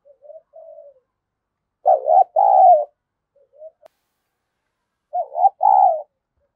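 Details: Decoy spotted dove calling to provoke a fight. It gives a soft quiet coo, then a loud paired coo, one quavering and one drawn out, repeated twice about three seconds apart, with hushed notes between.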